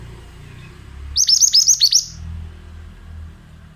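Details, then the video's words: Male mountain-type Oriental magpie-robin delivering one loud phrase of about seven rapid, evenly spaced high notes, each sliding steeply downward, over faint low rumble. "Terapi Suara Burung Mantenan"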